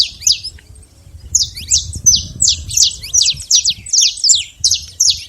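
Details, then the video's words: Saffron finch, free in the wild, giving a run of bright, high, clipped chirps, about three per second, after a short pause; soft low rumble underneath. "canário da terra livre na natureza"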